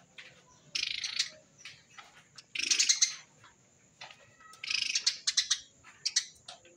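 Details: Eurasian tree sparrow song of the dense 'tembakan rapet' type, used as a lure for wild sparrows: separate bursts of harsh, high, chattering chirps with short quiet spells between them over faint low hum.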